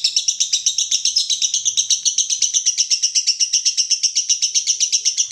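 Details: Konslet song of a lovebird, masteran recording: shrill, tightly spaced chattering notes pulsing at about four per second, very even and continuous, with nothing else audible.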